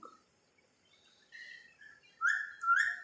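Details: Talking pet parrot that mimics human speech makes soft faint notes, then two loud clear whistled chirps that rise sharply at the end.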